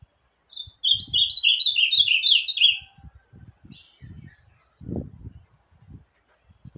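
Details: Ultramarine grosbeak (Cyanoloxia brissonii) on a Sunday morning, just after bathing, gives a rich, warbled song phrase of about two seconds, quick sweet notes sliding gently downward, followed by low thumps and knocks.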